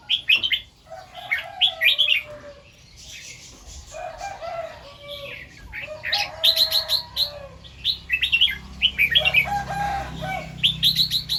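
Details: Morning song of a red-whiskered bulbul in the doubled and "rik" styles: clusters of liquid, chirping whistles broken by pauses, with softer lower warbling notes and a low hum late on.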